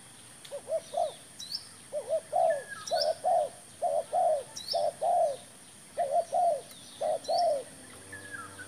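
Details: Spotted dove used as a decoy bird while trapping: repeated series of soft, hollow cooing notes, each a short double note followed by a longer falling coo, with faint chirps of other birds in the background.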